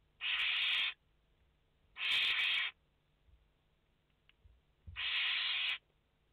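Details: Two then one rasping hiss calls from barn owl chicks, five sharing the nest on 29 August 2021, with faint scuffling between.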